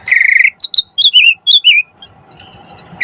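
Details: Song of an Asian pied starling, played as a lure to make starlings sing. A buzzy rattling note, then paired whistled downslurs, followed by quiet background with a faint hiss.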